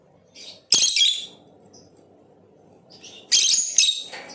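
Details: Blue Opaline lovebird uttering two loud, harsh, rasping chirp bursts about two and a half seconds apart, with a brief faint note in the quiet gap.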